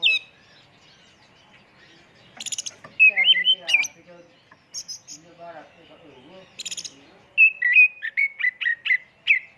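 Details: Oriental magpie-robin (kacer) song used as a lure, full-isian tembakan style: high rattling chips and warbled, mixed phrases in the middle, then a quick series of six or seven repeated whistled downslurs.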